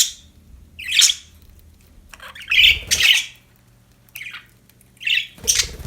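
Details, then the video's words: Happy pet budgerigars chirping: harsh, squawky chirps come in short bursts about once a second. Quiet gaps fall between them, with a faint low hum underneath. "Happy budgies chirping sound"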